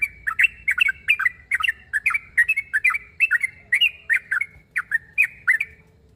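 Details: Sooty-headed bulbul calling out a rival, provoking other bulbuls to reply: a lively, steady string of bright, bubbly two-part chirps, each dipping then rising, about two to three per second.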